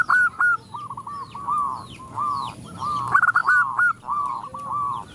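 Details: A female zebra dove calls males while other zebra doves join in; quick runs of stuttering cooed notes follow one another almost without pause, one voice louder and brighter midway, with scattered high chirping birds in the background.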